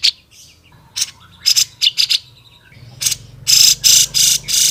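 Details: Grey-cheeked bulbul singing vigorously: scattered scratchy notes and short whistled slurs, then loud, harsh, buzzy bursts repeated roughly every half second near the end.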